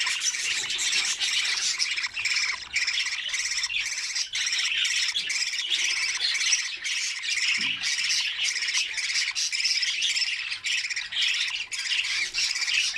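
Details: Nestling budgerigars in their nest while being fed by each other, giving a steady wall of rasping, grating chatter for the whole stretch, with many overlapping scratchy notes and only brief dips.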